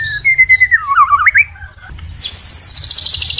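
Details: Training song of a white-rumped shama: clear whistled notes falling into a wavering warble, then a very high, fast rattling trill of evenly repeated pulses. A low background hum runs throughout.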